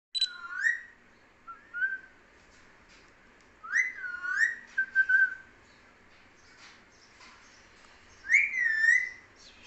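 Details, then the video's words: Talking parrot in a small indoor room giving harmonic, whistle-like vocal phrases with bending, rising and falling tones in three bursts, around 0.5, 4 and 8.5 seconds, separated by quiet gaps. "Talking parrot"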